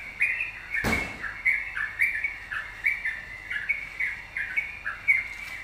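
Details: Yellow-vented bulbul singing keenly, a lure to make other birds sing: chains of short liquid chirps and downward slurs repeated nearly twice a second, with one loud knock early on.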